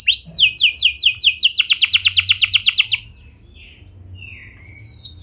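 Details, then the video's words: Canary singing vigorously with a clear roll, used to prompt other canaries: three seconds of fast, evenly repeated high downward notes, then near silence with one faint distant whistle. "Pancingan Efektif Banyak Burung Kenari Cepat Ikut Gacor Dengan Suara Kenari Gacor Ngeroll Jernih Ini"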